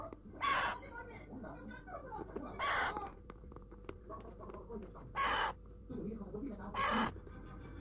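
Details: Loud, raspy squawks from a pet talking Alexandrine parakeet, four bursts in eight seconds, with low murmuring and household noise filling the gaps.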